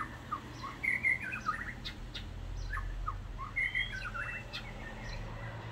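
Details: White-rumped shama outside house windows on Kauai, giving clear whistled double notes and short chattering phrases spaced a few seconds apart, over a low steady fan hum.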